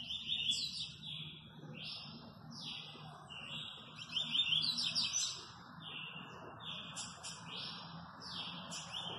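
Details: A friend's very fast-singing Double-collared seedeater from Guarujá, Brazil: a fast string of bright, slurred and buzzy phrases, about three a second, over a steady low background rumble.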